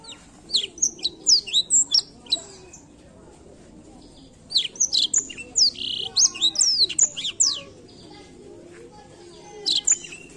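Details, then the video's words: Blackthroat song for stimulating other birds to sing: two long phrases of fast, high-pitched twittering with sweeping upslurred and downslurred notes, separated by a short pause, and a brief final burst near the end. "canto do pássaro blackthoat para estimular o som do pássaro chilrear"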